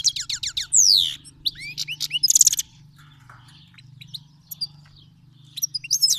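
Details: Iranian goldfinch, a Himalayan and black-headed cross, from Fars province, Iran, singing to teach young birds: fast descending chirps, a long falling whistle, rising slurs and a buzzy trill, over a steady low hum.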